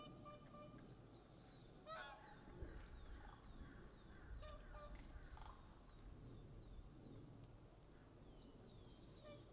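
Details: A flock of whooper swans flying over a feeding area where ravens eat breakfast on 27 February 2012 gives loud, trumpeting honks, several birds calling back and forth, over a steady low rumble of wind.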